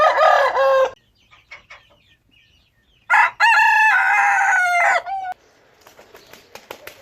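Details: Crowing rooster, one of various kinds gathered together: a short loud crow opens, a quiet gap with faint clucks follows, then a long sustained crow of about two seconds ending in a falling tail.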